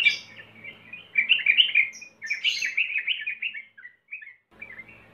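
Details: Sooty-headed bulbul song used as a lure: softer bubbly warbles building into a lively chattering run, then a few short chirps and a quiet trailing phrase.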